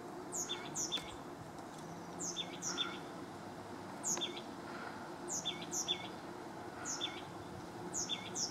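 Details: An oak titmouse singing from a tree on 28 February 2016 at 2:45 PM: high, clear two-part phrases, a sharp downslurred note then a lower looping whistle, repeated steadily about every second over a soft low rumble.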